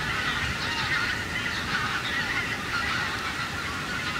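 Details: Wild geese passing over harvested corn stubble: a constant overlapping babble of honks from a large flock, some calls rising and falling, over a faint low hiss.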